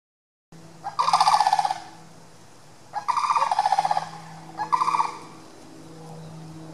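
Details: Sandhill cranes walking down a street, scurrying away from a following dog while calling: three loud rolling, rattling bugles, each about a second long, with a faint steady hum underneath.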